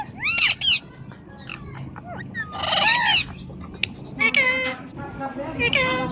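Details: Talking ringneck parrot uttering arching harmonic notes and chattering, voice-like bursts over a steady low background hum, with short pauses between phrases.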